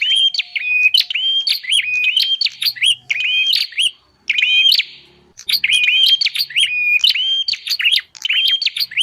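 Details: Bar-winged prinia lure calls meant to attract wild birds: dense, fast sequences of high chirping and buzzy notes, rising and falling, broken by two brief gaps, with no other clear sounds.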